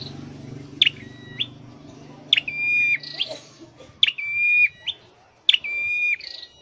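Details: Scarlet-headed flowerpecker, caged during song training, repeats sharp-attack whistles that hold level then drop a step, some with a hissy buzz after, while a low hum fades out early.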